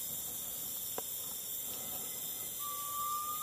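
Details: Garnet pitta at Sungai Relau, Taman Negara, Pahang, Malaysia, August–September 2022: one pure, drawn-out whistle that rises slightly, arriving near the end after a single click, above a loud, steady high-pitched insect drone.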